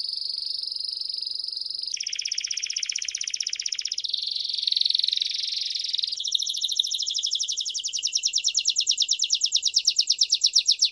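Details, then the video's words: Canary song for training young canaries, rare song style: loud, continuous high trills in successive tours, a steady tone near 4–5k, a buzzy lower rattle, then a fast rhythmic pulsed trill rising in loudness toward the end. "أروع التغاريد النادرة لتسميع فراخ الكناري Super Canary song for training"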